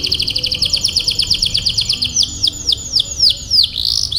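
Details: Tutor canary song to encourage long rolls in young canaries: rapid repeated notes that slow into wide, swooping downward whistles, ending on a rising note.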